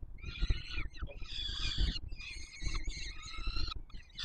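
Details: Feeding time for peregrine falcon chicks, the male bringing food at the Palace of Culture and Science, Warsaw, 7 July 2022. Screechy, buzzy begging calls run in three or four long overlapping bouts, with low background rumble.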